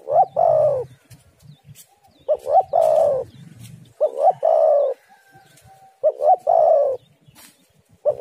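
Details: Spotted dove calling to lure others: repeated three-part phrases, two quick rising coos and a longer falling coo, about every one and a half to two seconds, with faint low rumbling.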